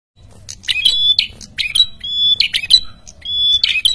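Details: A red-headed tailorbird in full, very noisy song, used as a lure to draw wild tailorbirds, pours out rapid, sharp chirps mixed with clear, high whistled notes, several per second, over a faint low hum.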